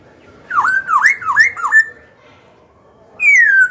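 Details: Black-throated laughingthrush, a kept songbird, singing a phrase used to provoke rival birds to fight and to train young birds: four looping whistles that dip and rise, then a pause and one long, clear, falling whistle.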